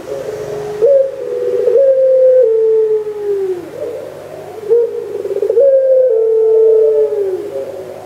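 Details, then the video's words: Barbary dove (puter pelung), 3 March 2020, gives two long coos about four seconds apart, each a low, rolling opening followed by a drawn-out, slowly falling hum. "Puter pelung"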